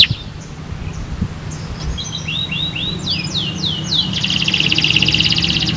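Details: Canary song used to encourage other canaries to sing: soft start, then a run of descending whistled notes building into a dense high buzzing trill against a low background hum.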